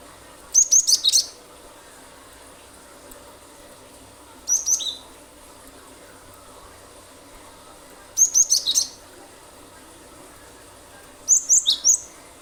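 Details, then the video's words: Cinereous tit singing its rapid 'nembak' song as a lure to set other birds singing: four bursts of fast, very high, sharp notes with buzzy tails, spaced about three to four seconds apart over constant hiss. "pancingan ampuh glatik batu gacor nembak nembak pasti burung lain ikut bunyi"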